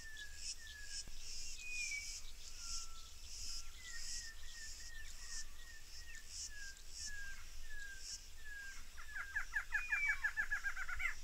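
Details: Orange-backed troupial (Icterus croconotus), a species without sexual dimorphism, sings clear, slurred whistled notes, about two a second, each dipping in pitch, ending in a quick rolling burst, with insects shrilling steadily behind.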